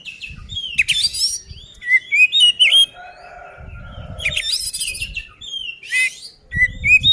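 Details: Oriental magpie-robin singing a fighting song to provoke other birds; rapid sequences of bright whistled and scratchy phrases with upward slurs, alongside low thumping noise and a faint lower warble.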